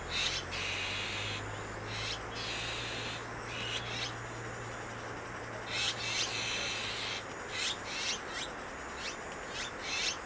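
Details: Azure-winged magpies raising chicks at Maeji-ri, Wonju, Korea: harsh, raspy broadband bursts come in irregular clusters over ten seconds, with soft high chirps between them and a low steady hum beneath.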